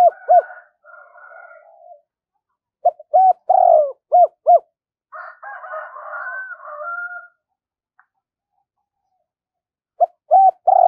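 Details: Decoy spotted dove repeating its double-voice call with two final notes: bursts of arched coos and a long slurred coo, separated by softer rough wavering passages, with a new phrase starting near the end.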